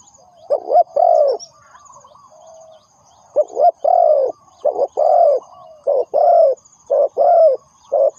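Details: Spotted dove used as a trapping lure, with an opening coo phrase, a soft murmured pause, then a brisk series of loud hoarse coos in short-long pairs.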